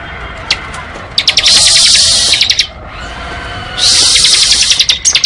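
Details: Bar-winged prinia singing ngebren: two long, dense, high buzzy trills, each over a second, opened and closed by rapid stuttering pulses, with a brief pause between them.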